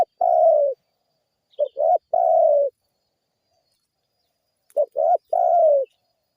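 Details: Spotted dove calling, used as a lure that other birds respond to; low mellow coo phrases, two short notes then a long falling coo, repeated after a three-second pause.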